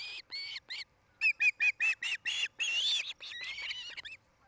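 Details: Osprey calling from its nest in Charlo, Montana, filmed by a nest cam in the early evening of 8 July 2018: loud, urgent series of clear whistled chirps, some slurred and rising, delivered in fast bursts.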